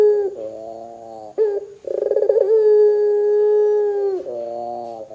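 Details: Barbary dove cooing, in a recording meant to prompt other doves to call: low, mellow notes with a brief rolling trill that runs into a long, steady drawn-out coo, then softer wavering coos.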